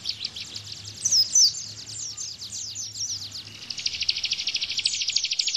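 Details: Bar-winged prinia (ciblek) tembakan used to train cage white-eyes: uneven high notes with two slurred whistles, building into a fast, regular rattle of sharp chips, a faint low hum behind.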